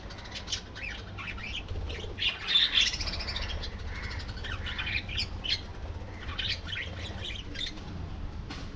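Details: Colony of budgerigars singing and chattering: overlapping warbled chirps and short squawks, densest around the third second, with steady low-frequency hum beneath.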